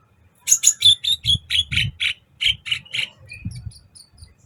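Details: Sunbird in vigorous song on a recording used for training other songbirds: a fast series of about a dozen sharp, very high chirping notes, evenly spaced and tapering off toward the end, with faint low thumps beneath.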